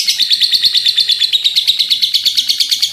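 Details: Brief burst of a lovebird's long chatter, dense rapid pulses of rasping high-pitched sound, very regular and sustained throughout.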